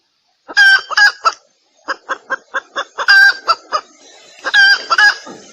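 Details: Hen red junglefowl calling to attract males, a lure recording for decoy hunting: loud harsh cackling notes alternate with a steady run of short clipped clucks about every quarter second. Faint hiss lingers near the end.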